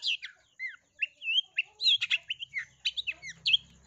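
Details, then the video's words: Long-tailed shrike singing a lure song meant to stir other shrikes into song, filled with sparrow mimicry: fast, varied high chirps, slurred whistles and harsh notes in quick succession, with a faint low hum in the background. "PANCINGAN CENDET GACOR FULL ISIAN TEMBAKAN GEREJA"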